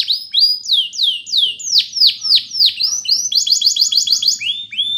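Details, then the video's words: Clean flute-style singing from a Russian canary used for training: repeated downward-swooping whistles, each slur falling in pitch, followed by a fast run of trilled notes and a final pair of swoops. "RUSSIAN Canary Flute Singing"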